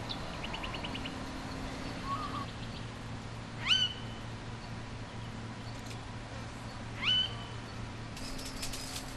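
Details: Bowerbird, possibly a male grey bowerbird, a species that builds bowers to attract females: two sharp, rising whistled notes about three seconds apart, with faint chips and a steady low mechanical hum behind.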